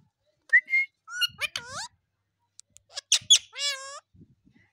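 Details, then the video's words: Pet Indian ringneck parrot talking: a run of short, harmonic, speech-like syllables with bent and sliding tones, broken by brief whistled notes, in two bursts over roughly four seconds in a quiet room. "Talking indian ringneck parrot"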